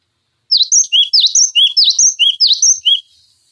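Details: Cinereous tit song used as a tutor recording for training other songbirds: a sharp high whistled three-note phrase, a dipping note, a higher note, then a lower one, repeated about five times in quick succession over a silent background.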